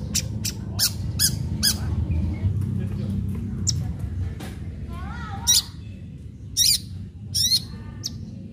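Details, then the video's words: Long-tailed shrike in aggressive lure song to provoke other shrikes: loud scratchy rasps, a soft wavering warble, then widely spaced harsh squawking bursts, over a low droning background. "Cendet gacor Tarung Tajam Bikin cendet lain terpancing ikut Gacor"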